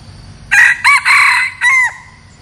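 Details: Red junglefowl decoy cock used to lure wild junglefowl, giving one loud harsh crow in four parts: two short clipped notes, a long strained middle phrase, then a falling drawn-out final note, over quiet background.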